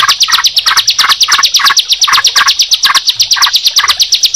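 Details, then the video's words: Sunda pied chat and yellow-vented bulbul singing together. A very fast, even series of high strident notes repeats almost three times a second, punctuated by lower chattering bursts at regular intervals. "Suara Ciblek Dan Trucukan Jika Dipertemukan"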